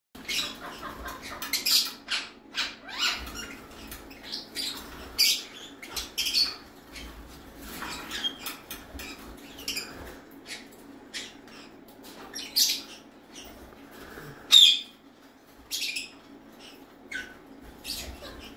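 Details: Pair of violet Indian ringneck parakeets giving harsh, high squawks and chattering notes in short, irregular bursts.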